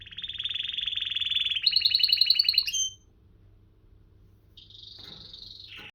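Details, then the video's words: Canary trilling steadily in a fast, buzzy roll that steps up to a higher pitch, stops, then after a pause resumes with a shorter, fainter high trill. "كناري مذهل و تغريدة رائعة / Amazing canary and wonderful tweet"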